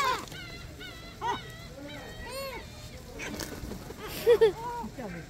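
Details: Gulls at Sinjindo, Seosan, South Korea, calling as a noisy flock; repeated arched mewing notes from several birds over a steady low rumble, with a sharper close pair of cries near the end.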